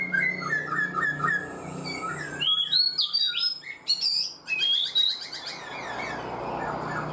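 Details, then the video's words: Caged black-throated laughingthrush, kept four months, singing a varied run of clear whistles: low rolling notes first, then rapid high sliding and buzzy phrases, with a soft background hum. "Khướu bạc má 4 tháng lồng, người rài giọng cực hay"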